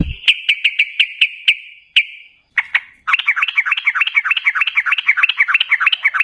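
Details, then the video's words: Sooty-headed bulbul in energetic, long-running ropel style, used as a lure to prompt other bulbuls to answer: a row of sharp repeated notes, a pause, then a fast, dense run of bubbling warbled notes. "Suara TRUCUKAN GACOR Ropel Ngalas"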